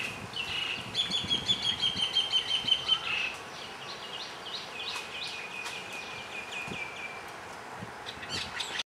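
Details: Asian glossy starling on Ko Lanta, Thailand, giving a fast run of high, sharp whistled notes, then thinner high chirps over a steady hiss of background noise.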